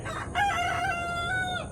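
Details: A young rooster, about six months old, crows loudly; he only began crowing two days earlier. The crow is one drawn-out, harsh, slightly wavering note held for over a second before it breaks off.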